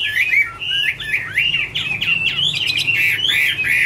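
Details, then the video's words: Chinese hwamei (Garrulax canorus) singing a loud, rich song of rapid varied phrases: slurred whistles, warbles and sweeping notes mostly in a high register, delivered almost continuously over four seconds, with harsher chattering notes mixed in near the end. "" Autumn Love Song " Bird Garrulax canorus Singing- Birdsong"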